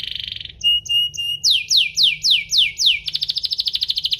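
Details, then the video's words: Canary (Serinus canaria domestica) song meant to stir other canaries into singing: a buzzy trill, spaced whistled notes, a series of falling sweeps, then a rapid even rattle. "burung kenari ini pintar pancing emosi, Pancingan kenari biar gacor"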